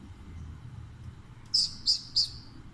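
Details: A talking pet Alexandrine parakeet at grape-snack time utters three shrill, high chirps spaced about a third of a second apart against quiet indoor background hum.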